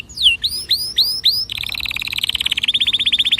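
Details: Canary song to prompt other birds to sing: five downward-slurred whistled notes, then an accelerating, steady high trill of rapidly repeated notes.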